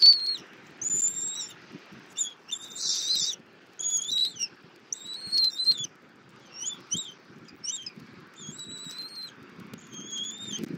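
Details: Wild bald eagles at a Southwest Florida nest cam, morning of 24 February 2024; mother feeding the eaglet armadillo. A steady run of short, high, piercing whistled notes in quick bursts, with faint nest rustling underneath.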